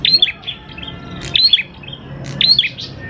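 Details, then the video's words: Prinia song intended to trigger singing in prinias: three quick phrases of sharp, high chirps, each opening with a bright rising whistle, about a second apart, in a quiet background. "PANCINGAN PRENJAK KLAWU GACOR, NGALUN BIKIN PRENJAK CEPAT BUNYI"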